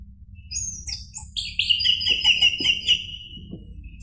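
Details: Lure recording of orange-headed thrush song, played to make a caged bird answer: high thin whistles open into a rapid series of about eight evenly repeated bright notes, then trail off into a soft whistle.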